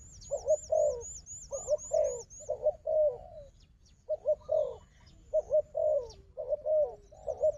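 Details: Combative wild dove facing a decoy bird utters repeated low coos in pairs and triplets, pausing mid-clip, as a rapid series of high sharp whistles sounds early on.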